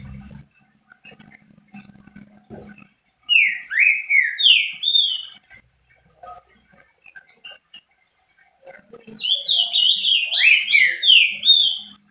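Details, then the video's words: Caged-pet trinca-ferro, or green-winged saltator, singing hard to stimulate fellow saltators: two bouts of loud, clear whistles, each note slurring down or swooping, the second bout longer and denser, separated by near silence. "DEIXE SEU TRINCA FERRO LOUCO 🙀 CANTANDO MUITO ESQUENTA TRINCA FERRO."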